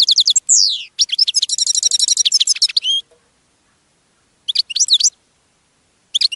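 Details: Clean recording of European goldfinch song: a downward-slurred whistle, then a rapid, even run of high twittering notes for two seconds, silence, and two brief tinkling phrases afterward.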